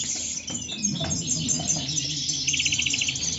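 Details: European goldfinches singing in the moderna style at El Prat de Llobregat: a few sliding whistled notes, then a fast, metallic, buzzy trill near the end, over low background noise.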